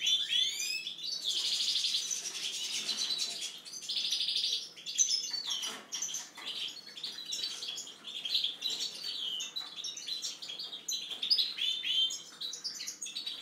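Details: European goldfinch kept as a pet, its song here softer and more broken: an opening run of upslurred notes, two harsh buzzy bursts, then scattered chirps and short trills.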